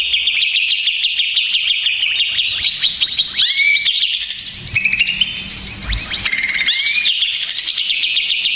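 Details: Greater green leafbird in a stressed, agitated state, recorded as a lure song. A dense, nonstop torrent of sharp chirps, rapid trills and upslurred whistles that shifts pitch repeatedly across the phrase.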